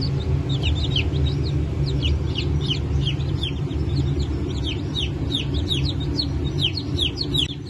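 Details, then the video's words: Crowd of newly hatched chicken chicks, Brahma and Wyandotte breeds, hatched 1 May 2024, giving quick, high, descending cheeps in a continuous jumble, backed by a low steady hum. "Yeni Çıkım 01.05.2024 - Park Brahma, Modled, Wyandotte"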